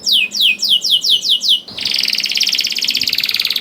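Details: Singing young canary used to coax other canaries into song: six slow, descending whistled slurs, then an abrupt switch to a loud, rapid buzzing rattle.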